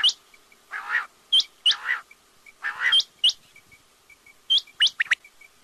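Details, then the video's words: Quail calling: sharp rising chirps alternating with lower, buzzy, drawn-out rasping notes, then a quick cluster of high chirps at the end. "batair ki awaz|quail sounds"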